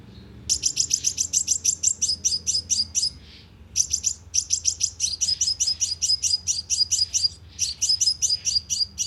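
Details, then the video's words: Sunbird lure recording for speaker trapping, used to draw birds in: long rapid runs of thin, high tweets repeated several times per second, one brief break near the middle, low background hum. "TIẾNG CHIM 🐤HÚT MẬT MỒI CỰC SUNG DÙNG BẪY LOA 📣KÍCH CHIM"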